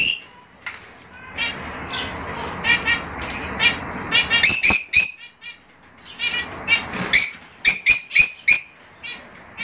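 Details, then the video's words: Fischer's lovebirds chirping, sound meant to encourage pairing and mating: shrill, harmonic chirps in loose bursts, with a dense stretch of overlapping chatter early on, then sharp, loud, separate chirps near the end, some with clicky broadband edges. "تغريد وتحفيز لتزاوج عصافير الفيشر"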